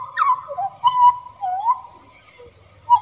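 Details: Hooded butcherbird in the wild giving a melodious song of pure, mellow whistles: a sharp descending slur, then long level notes and a gentle rising-falling phrase, a brief pause, and a final short whistle.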